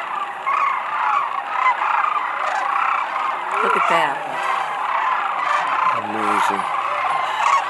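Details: Thousands of sandhill cranes landing at Whitewater Draw near McNeal, Arizona, February 5, 2018: continuous rattling crane chorus, with short bursts of people talking nearby around the middle and later.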